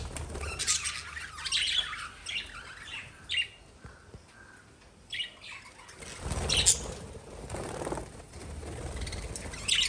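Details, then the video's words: Lovebirds chirp in intermittent shrill bursts of squeaky chatter, quieter between 4 and 6 seconds, then a busier stretch with rustling sounds. "Love Birds Sound"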